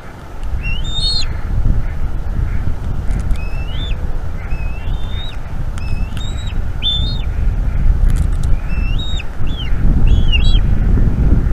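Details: Eaglet of bald eagles chattering while its mother feeds it at a Florida nest camera on a May 2021 evening; short rising squeals repeated every second or so, under heavy low wind rumble.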